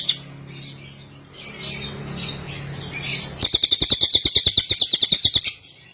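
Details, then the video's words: Training song of the cililin (Sunda whistling thrush): soft, scattered high twitters, then one bright two-second burst of rapid, buzzy, evenly pulsed chatter before fading out. "Masteran Suara burung cililin"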